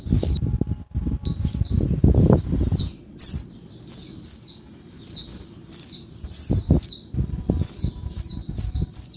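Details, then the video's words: Noisy daytime calls of a female Oriental white-eye, meant to excite males: a steady series of thin, high, downslurred squeaks, often in pairs, spaced about half a second apart, with thumping and low noise early on. "Bird Pleci Betina Suara Ribut bikin Bird Jantan Gacor (siang)"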